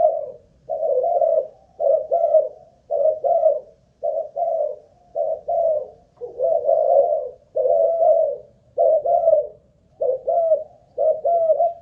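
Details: Spotted dove, a captive ground-decoy bird of Malaysian stock undergoing a stamina test, repeats about eleven husky, low-pitched coo phrases in quick succession, roughly one each second, in a quiet room.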